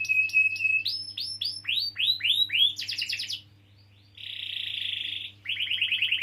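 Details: Canary song used to draw song from young or silent canaries: a held whistle with chips, rising swooping notes repeated in a series, a buzzy burst, a pause, a steady roll and quick trills.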